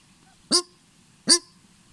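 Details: A Paradise Shelduck at Paradise Valley Springs, New Zealand, gives two loud, squeaky, nasal honks about three-quarters of a second apart, sounding like a squeaky toy, against a quiet background.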